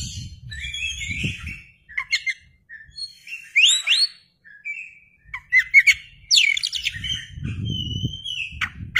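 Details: Oriental magpie-robin (kacer) singing energetically non-stop with tail spread, used as a lure recording: varied whistled phrases, sharp rising sweeps and short chirps mixed with scratchy notes, with a low rumbling noise at the start and end.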